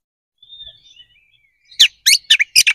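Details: White-rumped shama fighting song aimed at provoking other birds; a soft thin wavering whistle, then four loud harsh chattering bursts in quick succession.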